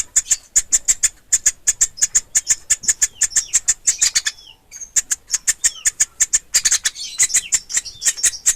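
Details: Baby woodpecker, called pelatuk ulam locally, squeaking rapidly and insistently. Shrill notes come in a long, fast series, pausing briefly near the middle before resuming, with some faint slurred chirps underneath.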